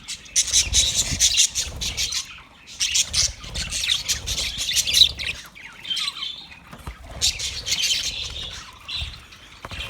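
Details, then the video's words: Budgies chattering in rapid, harsh squawky bursts of high clicks and chirps, grouped in runs of about two seconds with short pauses, some thin whistled notes mixed in, low rumbling noise underneath. "Best Sounds Of Budgie Bird"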